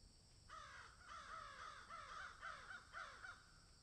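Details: Crows in a field: after a brief quiet moment, a rapid chain of about nine harsh, arching caws.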